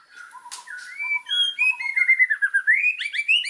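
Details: White-rumped shama (murai batu) in energetic song for training birds: clear whistled notes at different pitches, building into a rapid, rising and falling warbled run.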